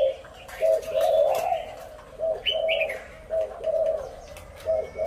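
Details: Many spotted doves give loud calls: low, hollow cooing phrases in short bursts separated by brief pauses. A few thin, higher chirps from other birds sound in the background.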